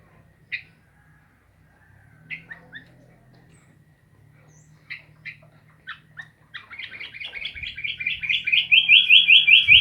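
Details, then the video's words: Sooty-headed bulbul: scattered sharp chirps build into a fast, steady series of bright repeated notes, rising in loudness toward the end, with a soft low hum behind. "Burung kutilang asyik"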